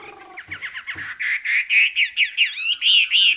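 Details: Chinese hwamei kept as a cage bird, singing in the high 'cao cầu' style: a rapid run of rich, slurred whistled notes, about four a second, climbing into looping high phrases with bright, clear tone.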